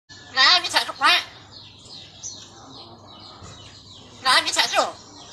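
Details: A common hill myna talking, mimicking human speech, in two quick bursts of speech-like, harmonic syllables about four seconds apart, with a few soft background chirps in between.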